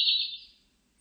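Siberian blue robin: a single high, rapid, buzzy trill that starts loud and fades away over about half a second, followed by near silence.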